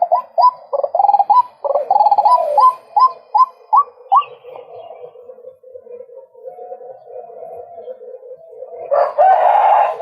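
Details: Male white-breasted waterhen rapidly repeating bright, rising croaks, nearly three per second, that slow and fade into a low droning, ending in a loud harsh outburst.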